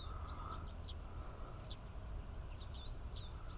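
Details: Eurasian tree sparrow (ssp. saturatus) at Inba-numa Lake, Chiba Prefecture, Japan: short, high chirps in quick irregular bursts with a thin sustained whistle over a steady low rumble of distant traffic.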